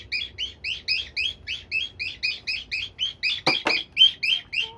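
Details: Pet cockatiel of advanced age berating a box it dislikes with evenly spaced, sharp, high chirps, about four per second, interrupted once by a loud click.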